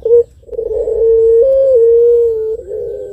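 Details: Contest ring dove giving the long-voiced pelung coo, meant to provoke other birds: a brief low note, then a sustained steady hooting tone with small pitch steps, lasting about two seconds.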